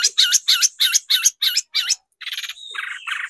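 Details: Long-tailed shrike song used as a lure to rouse other shrikes into singing. Six buzzy, harsh high notes fall in a quick even series, followed by a rattling trill and a scratchy chatter.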